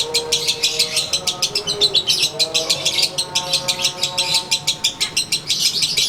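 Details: Konslet lovebird sunbathing outdoors, giving its characteristic ngekek song: long run of rapid, sharp, high chattering notes, roughly three per second, pulsing steadily without a break, with faint low tonal hum behind.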